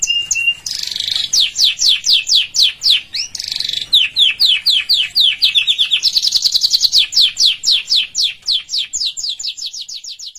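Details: Canary song offered for home training practice: rapid descending sweeps repeated about four per second in shifting tours, with a buzzy trill and a steady whistled note near the start.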